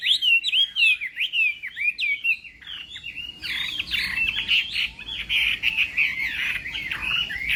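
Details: Chinese hwamei's morning contest-practice song opens with clear, rapidly repeated slurred whistles, then shifts to a denser, more hurried jumble of whistled notes.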